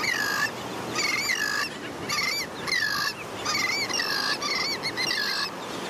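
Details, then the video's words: Juvenile royal terns in a beach colony at St. Pete Beach, Florida, crying persistently to beg food from a parent; clear, ringing, up-and-down wavering calls repeated about twice a second in bursts, with steady surf behind. "ROYAL TERN JUVENILES BEG FOR FOOD"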